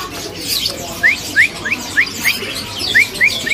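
An Asian Fairy-bluebird gives a quick series of short, sharp, rising whistled notes, about three a second, over a busy background murmur.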